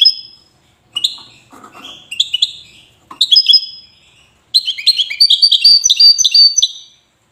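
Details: European goldfinch of Wydani type from Safi, Morocco, sings short clipped phrases of high chirps and drawn notes, followed by a long sustained burst of fast tinkling twitter.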